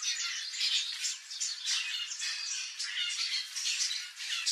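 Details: Wild turquoise-fronted parrot, known in Brazil as papagaio-verdadeiro, in its natural habitat. Harsh, raspy squawks overlap almost without pause. The bursts are loud and broadband, with no other clear sounds.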